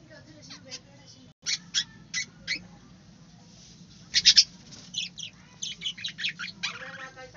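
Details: Aviary budgerigars chirping: short, high, clipped notes in irregular clusters, a brief dense burst midway, then a quicker series of chirps over faint low background noise.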